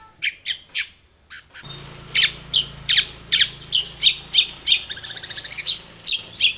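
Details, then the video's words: Long-tailed shrike singing energetically, played to coax other birds into answering: a few isolated sharp notes, then a fast run of harsh, buzzy chips about three per second over a low steady hum. "SUARA cendet Gacor full varian pancingan cendet agar bunyi JADIKAN burung cendet gacor nyaut"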